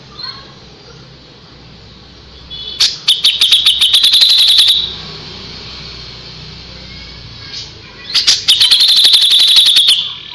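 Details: Kapas tembak singing for white-rumped shama tutoring: two bursts of fast, sharp, evenly repeated high trilled notes, each lasting about two seconds, separated by a quieter stretch with faint background hiss.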